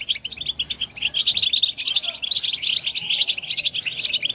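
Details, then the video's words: European goldfinch singing to stimulate other goldfinches, a fast run of bright, liquid twittering notes in quick bursts, nearly continuous, without other clear sounds. "Best beautiful stimulation of européen goldfinch"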